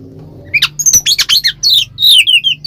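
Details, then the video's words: Oriental magpie-robin singing ngeplong style as a lure for other birds: brief burst of harsh scratchy notes and descending whistled slides over a steady low hum. "suara burung Kacer NGEPLONG pancingan Kacer agar ikutan emosi"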